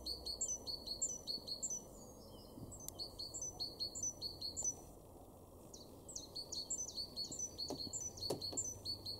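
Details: Great tit singing in a garden in Weener, East Frisia, northwest Germany, in April 2023: bright, high two-note phrases repeated rapidly in a see-saw rhythm, with a brief pause midway, over a low background rumble.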